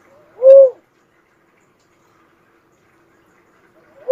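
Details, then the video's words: One strong, low, rounded coo from a cuckoo-dove, followed by long silence and the start of the next note at the very end. "suara burung uncal asli"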